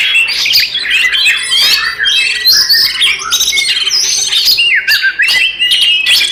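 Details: Dense, nonstop fighting song of an Oriental magpie-robin, meant to rile up rival magpie-robins: harsh squawky notes mixed with high whistles and quick chattering phrases, plus a faint steady low hum behind.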